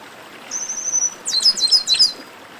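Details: Part of a chestnut-capped blackbird baderna: a thin, high trilled note, then four or five emphatic, sharp down-slurred chips in quick succession.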